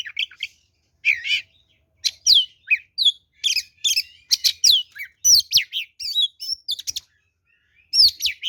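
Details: Oriental magpie-robin in loud 'ngeplong' fighting song, played as a lure to trigger replies: fast sequence of sweeping whistles and scratchy chips, nearly continuous for about seven seconds before a short pause.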